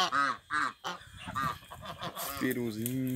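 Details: A pair of African geese kept as guard and alarm birds on a rural property give short, arched, nasal honks in quick succession, followed by a person's voice and background noise.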